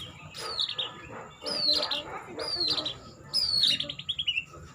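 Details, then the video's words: Murai or white-rumped shama singing gaya sujud style: three loud phrases about a second apart, each a high sharp whistle dropping into a quick descending rattle of notes. "suara Burung murai/ gaya sujud"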